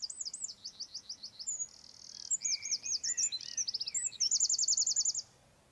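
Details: Eurasian wren singing a loud, high, rapid song of fast repeated trills and buzzy rattles, with sweeping notes in between, about five seconds long before it stops abruptly.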